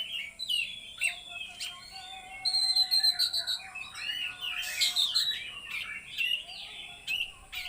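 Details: Kacer, or Oriental magpie-robin, singing at full power: a rich, continuous medley of whistled, warbled and buzzy phrases, rising and falling rapidly with little pause, against a faint steady electrical tone.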